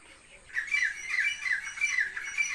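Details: Partridges calling from distant bushes near a village pond just before sunrise give harsh, squawking notes in a quick run, each about every half second, after a brief quiet pause; the local population grew from a released pair.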